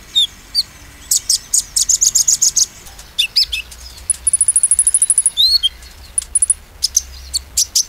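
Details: Sunbird lure song in the 'nembak' style: a burst of rapid high chips, scattered twitters, then a long fast metallic trill and a falling whistle, repeated sharp chirps closing the passage.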